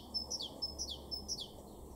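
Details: Garden Great Tit in Weener, East Frisia, northwest Germany, April 2023, sings three clear, high, ringing phrases. Each phrase is a piercing note that slides down into a second, repeated about every half second.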